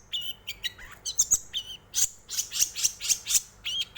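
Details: Long-tailed shrike song used as a lure to provoke other birds into singing: a rapid, varied medley of sharp high chirps, short whistles and buzzy notes, with dense bursts of repeated ticks in the second half.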